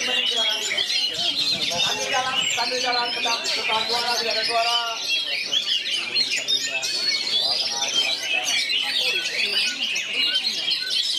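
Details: Bagong and kerayu style song from an oriental magpie-robin surrounded by three more: a long unbroken stream of loud, shrill whistles and rattling phrases, many birds overlapping, with people talking in the background throughout.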